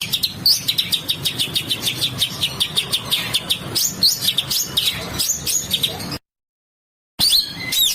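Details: Bird master song for training with harsh notes: busy high chirps and quick rising and falling whistles in rapid succession, cut by a brief second of silence before the chirping starts again.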